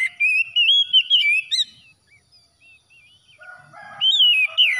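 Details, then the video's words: Oriental magpie-robin after dawn: a lively run of wavering whistled notes, some soft twitters, then a faint low crow behind further loud rising and falling whistles. "TERAPI KACER HABIS SUBUH PEMULIH AMPUH KACER SETRES CEPAT GACOR"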